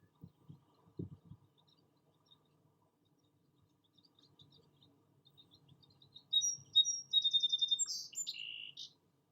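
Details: Song sparrow singing a bright phrase of clear opening notes, a quick rattling trill, then lower buzzy notes, after several seconds of low rumbling background noise.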